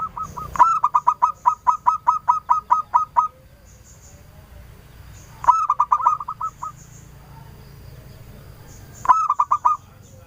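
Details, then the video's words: Local zebra dove singing vigorously as a clear-voiced lure to draw replies. Opens with a long, regular string of about fifteen quick coos, followed by two shorter bursts of rapid notes with quiet gaps between. "Perkutut lokal Gacor, | pikat Suara BENING , bikin sahutan ramai."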